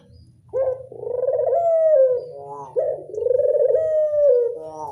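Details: Local Barbary dove giving its classic 'angungan' cooing: a soft start, then a long, steady, resonant rolling coo that ends in a quick falling flutter, repeated about every two seconds, with a faint low rumble behind.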